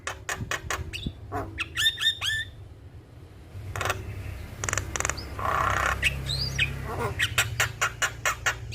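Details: Javan myna squawks and clipped whistles, a lure to stimulate a stressed bird, with a quieter noisy stretch in the middle and low rumbling background sound.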